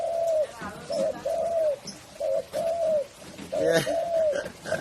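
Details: Spotted dove giving its cooing call, a short note then a longer slurred coo, repeated about every second and a half, with faint background voices and clicks.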